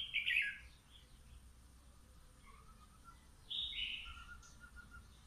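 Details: Red-whiskered bulbul taken from the wild and kept two months in a cage, set out in morning sunshine, sings two loud clear warbling phrases separated by quiet, plus soft twittering notes in between over a low background hum.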